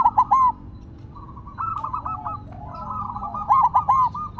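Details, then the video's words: Silver zebra dove kept on the ground, singing on: a loud opening of three short rolling coos, then softer trilled cooing from other doves, and a second strong run of three or four bubbly coo notes near the end. "Perkutut Silver Tetap Gacor Walaupun Ditaruh Tanah"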